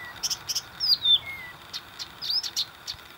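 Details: Blyth's reed warbler singing a quick string of high, clicking and whistled notes with short sweeping phrases between, over faint hiss; Warmia, Poland, 10 June 2020.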